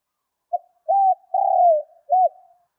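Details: Single spotted dove coo phrase, used to spur kept doves into fast calling: clipped first note, smooth hump-shaped coo, long buzzy falling coo, and a rounded last note with a soft trailing hum.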